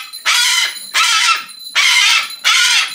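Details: Rescued 23-year-old female Umbrella cockatoo kept as a pet, giving four loud, harsh, raspy screeches of about half a second each, repeated in quick succession with short pauses between them.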